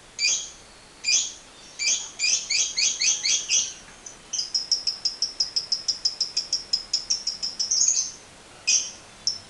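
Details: Lovebird 'ngekek panjang' lure recording: scattered harsh chirps quicken into a stuttering burst, then a long, rapid ticking trill of sharp high notes, ending with a few separate squeaky chirps.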